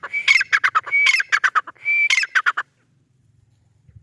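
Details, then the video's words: Loud repeated call of a white partridge (white teetar): three phrases of a bright whistled note followed by a quick rattling run of sharp notes, then quiet. "white teetar ki awaz white partridge"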